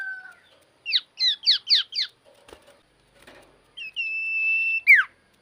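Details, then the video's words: Lively common iora singing: a rapid string of five falling notes, a pause, then a long, steady, high whistle that ends in a sharp downward slur. "BURUNG CIPOH GACOR SEKALI"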